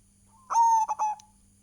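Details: Local Indonesian zebra dove (perkutut) giving lively lure song. One clear cooing phrase: a sustained, slightly falling coo followed by two short clipped notes and a brief tail, with a quiet steady hum behind.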